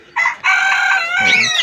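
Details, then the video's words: Pet roosters call out for food with a loud, hoarse crow. "ওইদিকে আবার মোরগগুলো ডাকাডাকি করছে খাবারের জন্য।"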